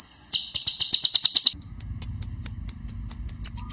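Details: Van Hasselt's sunbird (Leptocoma brasiliana) in full energetic song, used as a tutor recording: a fast, shrill, very high trill, then a quick string of sharp, thin chips about five per second over a low steady hum.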